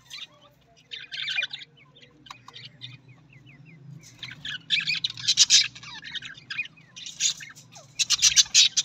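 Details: Australian parrot known as the budgie, starting with sparse clicks and chirps, then building into loud, rapid, scratchy warbling bursts near the end, with a low background hum.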